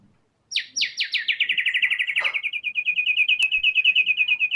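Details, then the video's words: Murai batu, or white-rumped shama, singing hard in full fighter style as a lure for other songbirds. Steady rapid chattering notes fall from high to a level pitch and repeat about six per second, with a faint click. "TEMBAKAN MURAI BATU GACOR BONGKAR SEMUA ISIAN FULL FIGHTER"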